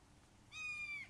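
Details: Red-shouldered hawk at a nest in Wake Forest, where the father brings a frog for a fledgling, 29 May 2023, 08:38: one drawn-out, high, harsh scream held level for half a second before dipping, over faint hum.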